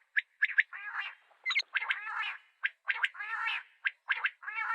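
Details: Common quail (Coturnix coturnix) calling: short, sharp high notes followed by a harsh, gargling rattle, the phrase repeating about every second and a quarter.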